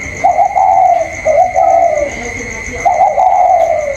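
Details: Spotted dove in the 'cu còi' calling style, caged indoors and contesting a wild bird outside, 27 October 2022; three smooth, slightly falling coos, each about a second long, against a steady thin electronic tone.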